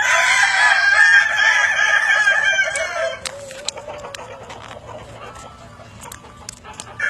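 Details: Evening crow of a Kukuak Balenggek rooster: a strong, sustained harmonic crow for three seconds that drops into a lower drawn-out tail, followed by quieter clicks and knocks.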